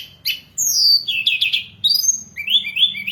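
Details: Hill blue flycatcher song used as a lure and training recording for birds: sweet whistled phrases sliding downward between high notes, short bursts separated by brief pauses.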